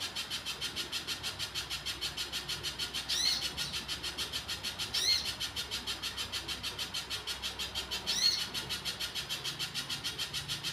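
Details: Little spiderhunter singing vigorously, a long steady run of sharp, clipped notes repeated about three times a second, with a few brief rising and falling whistled sweeps at intervals from another call.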